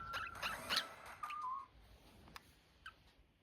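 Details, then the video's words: Budgerigars chirping: a few quick chirps, then short whistled tones that level off and dip, followed by fainter scattered clicks and notes. "Budgies sound || Chirpy Birds"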